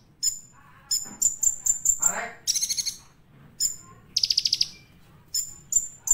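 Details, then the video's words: Olive-backed sunbird singing hard: a string of thin, high whistled notes repeated quickly, a harsh downward-sweeping note, then a buzzy trill of close pulses and more sharp whistles. "Hitungan Detik Dijamin Konin Anda Ngamuk | Kolibri Ninja Gacor Full Materi"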